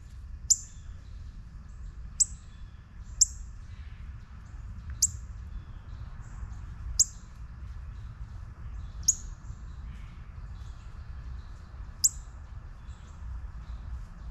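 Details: Repeated sharp chip notes from a juvenile northern cardinal, eight short high clicks spread unevenly across the recording, one to three seconds apart, with steady low background noise.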